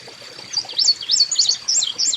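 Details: Carolina Chickadees at a backyard bird feeding station, field recorded: a quick run of high, thin, wavering whistled notes rising and falling, several in succession.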